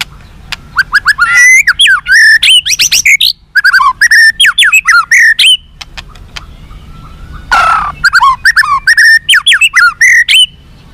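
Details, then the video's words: White-rumped shama in full song, used to make captive birds respond and fight: dense rich run of rising and falling whistles, harsh squawking notes and rapid chatter, pausing once midway. "SUARA BURUNG MURAI BATU FIGHTER"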